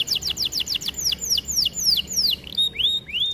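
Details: Canary singing in a training recording: quick falling chirps repeated in a rapid series, slowing into longer downward-swept whistles, then two rising clear notes at the close.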